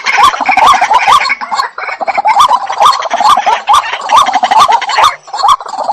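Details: White-breasted waterhen, called jal murgi, gives loud rhythmic croaking, gulping notes repeated rapidly, about two per second, in a dense chattering stream with overlapping harsh clucks.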